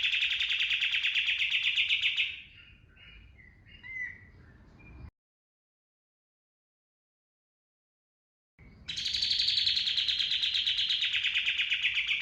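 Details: Lure song of a kapas tembak cotton bird for training birds, gacor style with tembakan bursts. A dense, high rattling trill lasts about two seconds, soft twitters follow, a gap of silence, then another long, fast, even trill.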